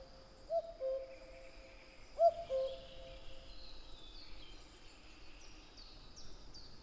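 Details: Two falling cu-coo phrases from a singing common cuckoo about two seconds apart, followed by thin high whistles from other birds in the background.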